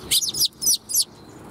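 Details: Sparrow greeting on the outward route, 16 April 2021: three loud, sharp, high chirps in quick succession, close and clear, with little else audible.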